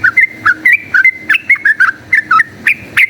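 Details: Yellow-vented bulbul in rapid fighting song, used as a lure to make another bulbul combative: short bubbly whistled notes, often slurred up or down, given in quick bursts of two or three at a steady chattering pace.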